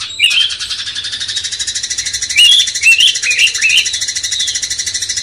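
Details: Master song of a cucak cungkok bulbul to provoke a magpie-robin, with short rising whistled notes over a steady, fast-pulsing high chorus filling the background.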